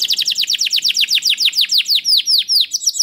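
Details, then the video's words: Canary song meant to set off other canaries: a steady trill of downslurred notes about six per second, slowing into longer falling whistles. "Sekali Putar Kenari Lain Langsung Nyaut Bunyi Gacor || Voice of Canary"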